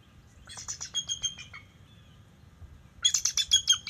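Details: Bald eagle alerting at the NCTC nest territory on October 10, 2023, as a young male of about five years visits: two bursts of high, piping, chittering notes with bright overtones, each about a second long, fast and repeated, over a low background rumble.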